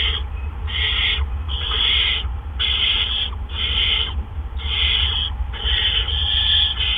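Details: Evening at a barn owl nest, April 17, 2013: two adults drop off gophers one after the other. Rough hissing bursts come steadily, roughly one per second, over a faint low hum throughout.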